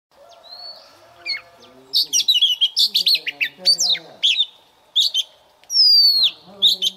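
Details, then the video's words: Oriental magpie-robin lure bird singing for morning voice training, meant to quickly fire birds up: varied phrases of clear whistles, sharp upslurred and downslurred notes and a long falling whistle, with steady faint lower tones beneath. "Chòe than mồi hót luyện giọng mỗi sáng nhanh lên lửa"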